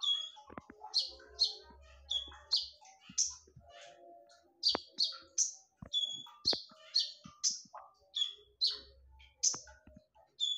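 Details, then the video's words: Konin song played as a lure, sharp and loud: clustered high, explosive notes in quick pairs and runs, with a few clicks and faint lower twitters around them. "SUARA TAJAM DAN NYARING / BERANI DENGARKAN SUARA PANCINGAN KONIN INI??"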